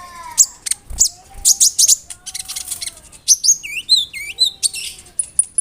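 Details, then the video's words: Konin bird singing a rich song of copied cricket and bird sounds, used as a model for other songbirds; loud sharp chirps, long low whistles, then looping swooping high notes and a few thin ticks. "SUARA KONIN GACOR ISIAN JANGKRIK, BREM, KAMADE, RAMBATAN FULL MEWAH"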